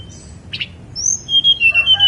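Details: Song of a Snowy-browed flycatcher on Mount Songgo Langit. A short buzzy chip opens it, then a high whistle and a quick series of five pure notes stepping slightly downward, with faint lower notes beneath.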